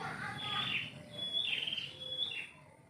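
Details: Short burst of morning song from a bird in a yard tree: two or three whistled slurred phrases, a clear sustained note between them, over a low murmur.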